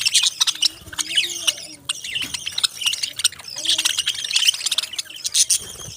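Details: Parrots chirping: a dense chorus of sharp, high chirps and rapid twittering from several birds at once, with a few lower, drawn-out squawks near the start and middle.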